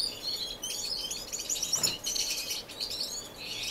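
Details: Finches in an indoor, non-breeding community aviary in Edmonton, Canada, filmed in March: many birds chirping at once in a dense, high-pitched twittering chorus of overlapping tweets and trills with no pauses.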